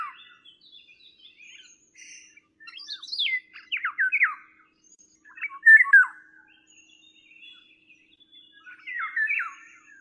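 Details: Eurasian Golden Oriole uttering scattered bursts of mellow whistles mixed with some harsher, chattering notes, separated by short pauses, against a quiet background.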